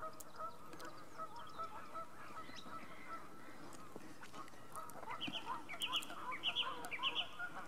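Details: Vocal geese at North Third Reservoir near Stirling: a dense chorus of overlapping nasal honks, with brighter, sharper repeated chirps rising over the flock in the last few seconds.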